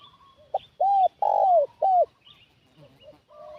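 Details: Spotted dove luring wild doves as a decoy: a crisp three-note coo, short, long, short, then softer low coos at the end.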